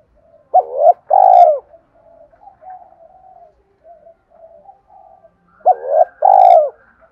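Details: Spotted dove coo used to attract wild doves: two loud phrases, each a quick two-part note followed by a longer throbbing coo, with soft murmuring coos from other birds filling the gap.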